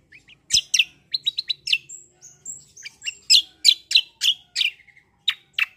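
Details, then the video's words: Black-winged myna in energetic rolling fighting song, mixing rapid sharp chirps, brief thin whistles and a run of loud clipped notes repeated about three per second. "CUCAK KOMBO TARUNG NGEROLL GACORR"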